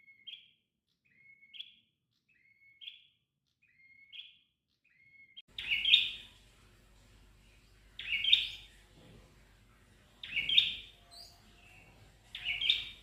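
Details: Red-headed prenjak tailorbird with a sweet, flowing song: soft short rising chirps about every 1.3 seconds, then much louder harsh buzzy bursts roughly every two seconds over a steady low rumble.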